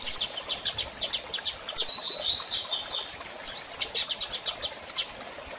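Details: Female double-collared seedeater calling to solicit mating. Bursts of sharp high chirps in steady rhythm are interrupted by a brief buzzy trilled phrase, then the rapid chirp series returns.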